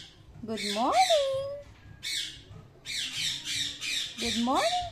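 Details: Indian ringneck parakeet kept as a pet, talking and saying thank you; dense raspy high-pitched bursts in quick clusters alternate with a person's swooping voice in a small room.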